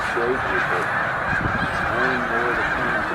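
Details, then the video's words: Migrating snow geese, around 100,000 together at Middle Creek wildlife refuge: two bursts of close, wavering nasal yelps rise above a thick, steady background of distant honking from the huge flock. "100,000 Birds in One Place - Snow Geese Migration Moment"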